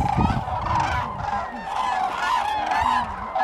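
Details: Many common cranes calling at Lake Hornborga, Sweden, in April 2017. Their harsh trumpeting notes overlap into a steady din, with a low rumble near the start.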